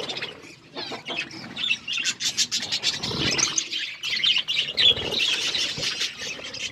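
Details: Noisy gathering of wild parrots, many high chirps overlapping in a quick, irregular stream that thickens toward the end.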